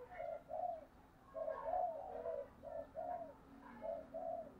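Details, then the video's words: Spotted dove calling at dawn to draw in wild doves, a series of muffled hollow coos in pairs and triplets over a steady background hum. "cu gáy thúc gù và gáy gọi bổi sáng sớm"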